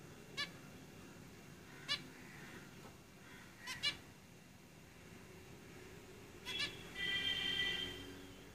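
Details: Zebra finches singing in their cage: a series of sharp nasal beeps, including a quick double near the middle, leading into a longer buzzy, warbling phrase at the close.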